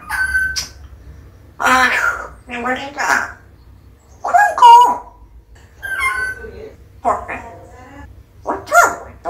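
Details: Pet parrot imitating talk, a string of separate speech-like bursts with bright, whistly rising and falling harmonics, spaced over several seconds in a quiet room.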